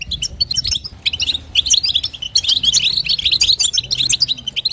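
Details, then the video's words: Female European goldfinch calling to stimulate the male: a dense run of quick high twittering and tinkling notes, nearly continuous, with faint low background hum. "نداء انثى الحسون لتحفيز طائر الحسون"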